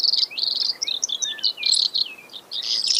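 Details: Brewer's sparrow giving short bursts of high buzzy notes and thin slurred whistles, separated by brief gaps, varied and quick.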